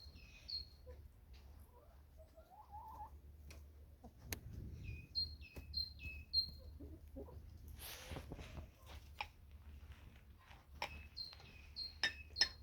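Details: On a warm, sunny late-winter day, 27 February 2025, with snow melting, small birds sing high, thin whistled notes in short repeated phrases with sharp chirps between. A farmyard with hens has low rumble, clicks and handling noise underneath.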